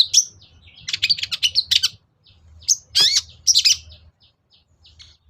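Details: Long-tailed shrike song played as a lure to provoke reluctant shrikes into singing: bursts of sharp, high chattering and scratchy chirps, two dense clusters of rapid notes separated by short pauses, plus a faint low hum.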